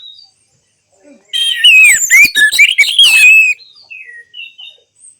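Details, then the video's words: Orange-headed thrush song used to stir silent birds into singing: after near silence, a dense two-second burst of loud, fast, tumbling whistles and chatter, followed by scattered faint chirps. "Terapi Anis Merah Bisu | AM Macet Jadi Gacor Coba Di Putarkan Suara AM Ini"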